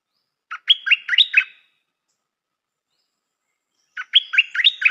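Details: Stripe-throated bulbul decoy bird repeating the same lively phrase twice, each a rapid string of five or six warbled notes, separated by about two and a half seconds of quiet.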